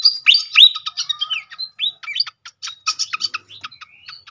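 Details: Srikatan flycatcher song used as a lure to trigger other birds into singing: a rapid jumble of high chirps, short slurred whistles and clipped notes, loud at first and then sparser and quieter.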